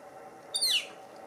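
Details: Young northern flicker foraging after leaving the nest hole, adult nearby: a single thin, piercing note that drops steeply in pitch, brief and clear against faint background.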